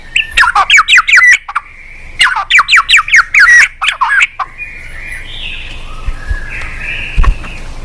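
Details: White-rumped shama song used as a lure to get a quiet bird singing: fast bursts of sharp repeated notes in two phrases, then softer drawn-out whistles and chatter with a low background hum.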